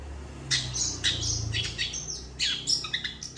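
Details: Long-tailed shrike giving a vigorous master song used for training other birds: harsh, scratchy bursts of high notes in quick clusters with short gaps, over a low steady hum.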